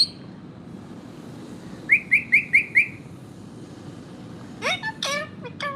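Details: Pet parrot vocalizing: five quick identical clear whistled chirps evenly spaced, then after a pause a set of sharp squeaky rising and falling notes, over steady background hum.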